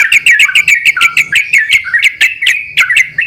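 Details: Yellow-vented bulbuls singing vigorously in reply to each other, recorded as a lure: quick, throaty warbled notes tumbling together with crisp ticking clicks between them.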